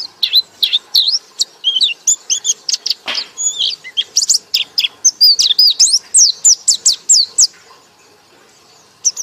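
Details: Loud white-eye singing in the ngekek style: an unbroken rattle of high, downslurred whistles and chirps for over seven seconds before stopping, one faint note at the close.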